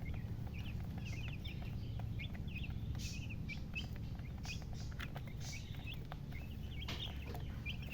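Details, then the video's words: Chicken peeping in small bursts of high, thin chirps, repeated irregularly across the clip, with a continuous low-frequency drone and occasional faint clicks. "silly chicken chirping sounds with murgi hen color chicken"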